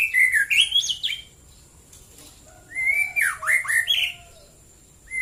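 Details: White-rumped shama morning song: two loud phrases of smooth whistled notes, rising then dipping and climbing again, separated by a long quiet pause.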